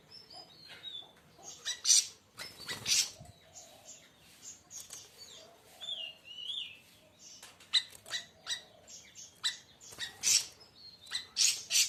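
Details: Song of the siri siri raja, also known as siri siri besar: rapid chatter of sharp rasping bursts and brief whistled slurs, continuous through the clip with light background noise.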